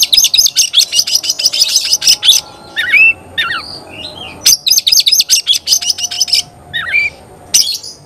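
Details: Oriental magpie-robin in loud song, answering another magpie-robin: rapid harsh rattling chatter in two long bursts, broken by twisting, upslurred whistles.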